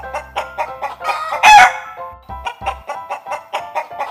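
A chicken clucks in a quick run of short, nasal notes, about four a second, with one louder squawk midway; music plays underneath.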